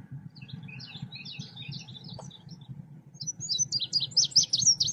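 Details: Selendang biru songbird used as a bird-trapping lure: soft, scattered high chirps at first, a short click, then a loud, fast twittering phrase of sharp varied notes, over a steady low rumble.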